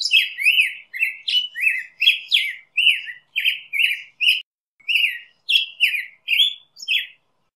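Black-headed Grosbeak singing a fast, rich run of warbled, slurred notes, about two per second, in two phrases split by a short pause.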